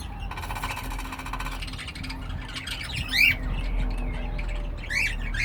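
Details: Pet cockatiel giving a long, harsh buzzy squawk, then sharp upward-sweeping whistled chirps, two of them loud and clear, over low rumbling background noise.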